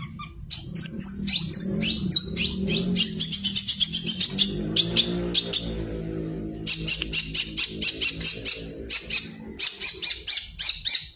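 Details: Actively singing long-tailed shrike used as a lure to prompt birds to sing: a fast stream of high, slurred whistles and scratchy notes, a brief lull midway, then clipped repeated chirps, with a low musical drone beneath the first half.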